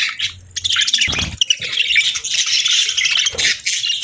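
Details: Budgies chirping on a peaceful morning: a dense, continuous high chatter of warbles and squeaky tweets, with brief low knocks or thumps near the start and around three and a half seconds.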